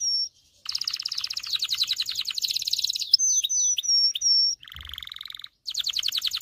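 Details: Singing canary, played to train male canaries and excite females for mating. A short whistle, a pause, then a long rapid trill, clear whistled sweeps, a lower buzzy trill, and another quick trill.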